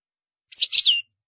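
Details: Single short goldfinch utterance, a brief half-second burst of high, slightly buzzy twittering notes.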